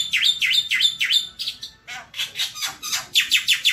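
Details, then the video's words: Javan white starling singing nonstop as a tutor recording for training other birds: rapid run of loud, high whistled and buzzy notes with sweeping slurs, repeated about three times a second, with a short pause midway. "MASTERAN JALAK PUTIH"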